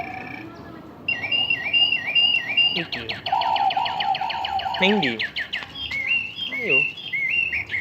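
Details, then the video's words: Lovebird giving its long chatter (ngekek panjang): fast runs of sharp chirps and rising-falling whistled notes, with a lower wavering warble in the middle and short trilled bursts near the end. "Love Birds Ngekek Panjang"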